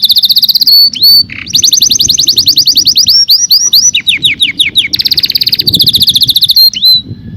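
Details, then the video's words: Singing canary delivering a loud, varied song of fast repeated trills, whistled upslurs and downward-sweeping notes that change tempo every second or so, with one rasping buzz near the start. "The most Beautiful Sound Of Canary - Canary Singing"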